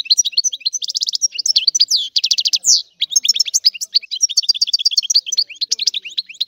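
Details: European goldfinch song: repeated buzzy trills alternating with quick, high, jingling chirps, continuous and energetic throughout.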